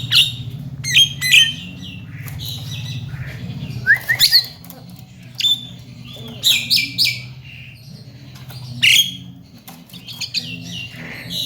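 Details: Javan myna, a talking bird used as a training song, giving scattered sharp chirps and short bright whistles, some rising, some clipped, spaced by pauses over a steady low background hum.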